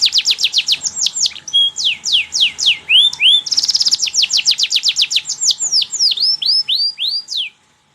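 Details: Energetic canary song used for training young canaries, a rapid run of high, down-slurred whistles with a short rattling burst midway, continuing in crisp sweeping notes roughly four per second before stopping.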